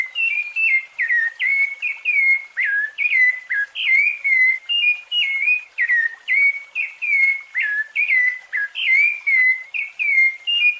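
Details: Fluted song of a rufous-bellied thrush, for teaching young birds: an unbroken run of clear flute-like whistles, each short phrase dipping or rising then falling, about two phrases per second, steady and loud, no other sounds.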